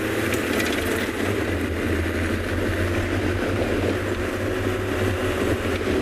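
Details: Steady drone of a running vehicle engine with broad mechanical hiss, without any audible animal.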